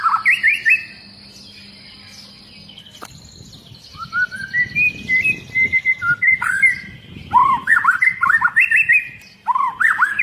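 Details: Long-tailed white-rumped shama in agitated song, getting other shamas singing. A quiet start gives way to rapid runs of whistled, slurred notes, growing louder and more crowded toward the end, with low rumbling noise behind.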